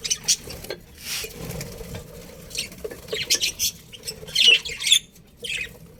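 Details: Budgerigars in a colony with a breeding pair, heard as scattered scratchy chirps and a few squeaky notes separated by quiet gaps, with faint low rustling beneath.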